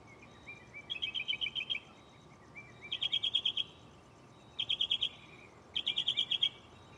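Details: Mockingbird in a tree close by at night, cycling through its repertoire: four bursts of rapid, buzzy trills, each under a second long, spaced by brief pauses over a quiet hiss.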